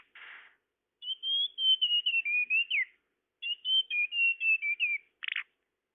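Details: Recording for luring tledekan: two drawn-out phrases of clear high whistles gliding downward, each framed by a short buzzy rasp.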